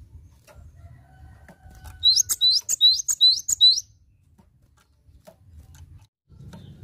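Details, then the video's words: Tutoring recording of a lively Cinereous tit: five rapid, bright, upslurred whistled notes, each with a buzzy edge, delivered over under two seconds. Faint low rumble before and after. "Masteran Gelatik Batu Gacor"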